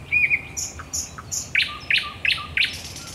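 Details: Thrush nightingale singing at night at the Raszyn Ponds, Poland, on 10 May 2021: short whistled notes, then a run of loud, sharp, evenly repeated clicking notes about three per second over a steady background hiss.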